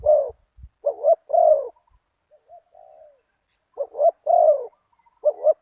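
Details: Spotted dove (nok khao yai) working as a decoy on a target wild dove, with a big-voiced single-kuk coo. Low hollow double notes and longer coos come in bursts, with a soft quiet coo in a pause and a few faint low knocks.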